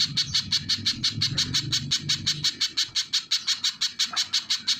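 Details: A little spiderhunter sings a quick, even string of sharp, high notes, about three a second, over soft low background rumble in the first half.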